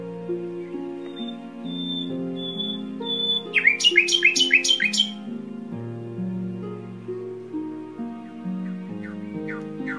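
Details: A tame, captive pet nightingale kept at home sings a few thin, high whistles, then a quick burst of about five loud, sweeping repeated notes, over steady instrumental music.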